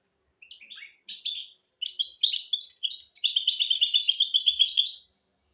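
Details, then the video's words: Goldfinch and canary hybrid delivering a teaching song for goldfinches and canaries. A few scattered chirps open the phrase, then build into a dense, evenly repeated high trill that ends abruptly. "تغريد طائر الهجين الميستو حفاضة ودانية لتعليم طيور الحسون والكناري بدون أخطاء"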